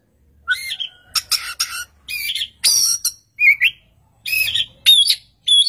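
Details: Oriental magpie-robin in loud song from one spot while another magpie-robin answers; short harsh buzzy phrases mixed with clear whistled notes, delivered in separate bursts about every half second.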